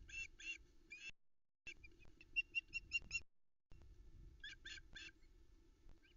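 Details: Early morning, 13 July 2020, on the Loch Arkaig osprey nest cam in the Arkaig Community Forest: the female calls repeatedly for fish while a chick eats trout, giving several runs of rapid high chirps separated by short pauses, with rustling and hum.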